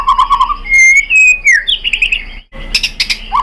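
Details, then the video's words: Brief white-rumped shama lure song to provoke other shamas: a low warbled note, a long rising whistle, a downslurred sweep, rapid chips, and a burst of harsh notes before a final whistle. "memancing EMOSI MURAI BATU biar ikut GACOR BONGKAR MATERI ISIAN ¦ PANCINGAN MURAI ¦ SHAMA BIRD"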